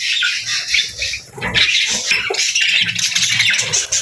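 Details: Budgerigars, said to be happy birds, produce a dense wash of high, scratchy chatter and chirps, with a low hum running underneath.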